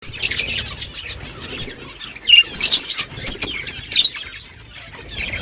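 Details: Budgerigar flock chattering in the morning, birds talking to each other: bright high chirps and short warbled notes in scattered bursts, some louder clusters near the middle, over a quiet background.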